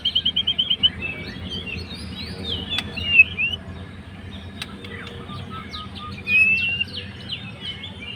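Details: Fighter white-rumped shama singing to goad a rival: a short burst of rapid repeated whistled notes, then scattered thin slurred whistles and sweeps over soft background noise.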